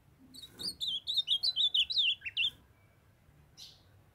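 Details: Loud, clear warbled phrase of about a dozen quick high whistled notes sliding up and down, sung by a caged young male ultramarine grosbeak in Brazil as a female calls to warm him up; a soft thump follows.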